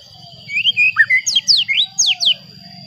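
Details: White-rumped shama singing to rile up other shamas: a low warble gives way to loud, sharp whistles that sweep down steeply from very high pitch, roughly six in a row, with a faint steady high whine behind.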